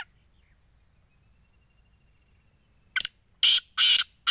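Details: Black francolin calling: after silence, a harsh phrase begins with a short scratchy note followed by broad, grating bursts, the last cut off at the end.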